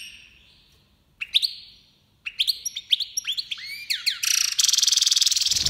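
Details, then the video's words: Major goldfinch from Iran in breeding season, 2022: rapid twittering and rising chirps building into a dense buzzy trill at the end, with faint low hum beneath. "Goldfinch Major breeding season 2022"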